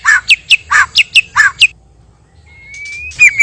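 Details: White-rumped shama pair, male and female, heard as a lure for trapping: six rapid alternating notes, a pause, then one long thin rising whistle and a bright burst.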